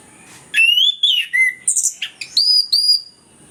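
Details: Song of an orange-headed thrush, played as a lure for birds that are lazy to sing: a run of clear whistles, a long rising slur, then buzzy notes and high sustained whistled tones.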